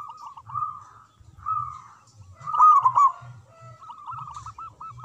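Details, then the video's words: Local zebra dove in loud song, used to rouse silent doves: several doves coo softly, broken by one strong, quick, bubbling phrase in the middle. "Perkutut Lokal Gacor Suara Besar Manggung"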